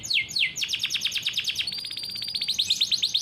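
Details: Rolling song of a farm-bred canary, kept as a training model for juvenile canaries; two swooping descending whistles lead into a rapid, tight trill of repeated notes, then a buzzy high roll.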